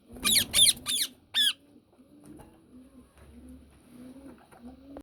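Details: Yellow ringneck parakeet indoors opening with four loud, rasping squawks in quick succession, then falling quiet while soft, low cooing notes repeat in the background.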